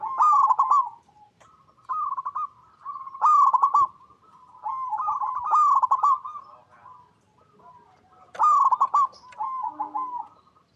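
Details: Local zebra dove, a lure to set other zebra doves singing, recorded in natural habitat: loud, stuttering, trilled coo bursts repeated every few seconds, softer cooing filling the gaps between them.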